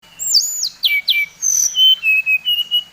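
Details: Brown-chested jungle flycatcher, Bali type, singing a lure song meant to provoke rival birds: sweeping high whistles descending steeply, then a run of short level whistled notes at a steady mid pitch.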